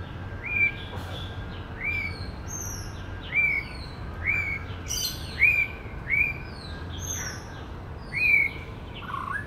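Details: Male white-rumped shama singing in woodland, mimicking other birds: a clear upslurred whistle repeated roughly every 1.2 to 1.5 seconds, with thin high notes scattered between and a low steady hum underneath.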